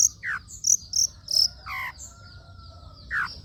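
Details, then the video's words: Long-tailed shrike singing, a recording meant to coax shy caged shrikes into song. Bright high chirps and short whistles, a falling slurred note, a harsher buzzy burst near the middle, then a pause before one more descending whistle. "PANCINGAN CENDET SUSAH BUNYII, DIJAMIN GACOR DENGAR SUARA CENDET INI"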